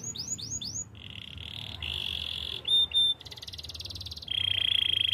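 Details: Spanish Timbrado canary song, for training: four quick falling slurred notes, then long buzzy rolls at mid pitch, a brief pure whistle, a higher rattling roll, and a final bright metallic trill.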